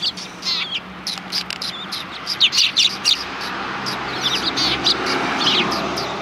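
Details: Sparrows gathered on a road in front of a Tenmangu shrine, 13 December 2019, chattering in rapid, uneven high chirps, densest in the middle, with low hum behind.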